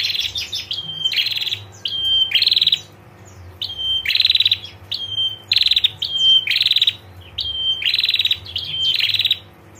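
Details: Long run of female prinia ngetir calls that make males respond: steady high whistles alternating with dense buzzy trills, in bursts roughly every second, loud and unbroken for almost ten seconds.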